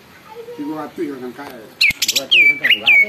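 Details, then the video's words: Greater green leafbird in energetic song that provokes other birds to answer and grow agitated: a man talks at first, then loud sharp whistles with sweeping slurs and brief chattering notes take over. "cucak ijo gacor bikin burung lain ikut BUNYI dan EMOSI"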